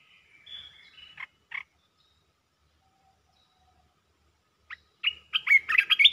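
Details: Red-whiskered bulbul kept as a cage bird, delivering rapid song phrases: a slurred warble and two sharp notes, a silent pause, then a dense, fast run of bubbly, jumping chirps at the end.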